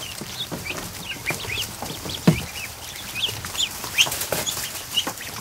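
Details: Newly hatched ducklings, more than a hundred, in a kiddie pool inside a barn in the afternoon. Thin, high peeps come irregularly from many birds, with water splashing and a sharp knock.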